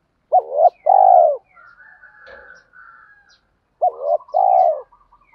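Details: Spotted dove cooing to provoke wild doves into replying. Twice, a short undulating note leads into a longer, strong, husky coo. Soft faint chirps fill the pause between the two phrases.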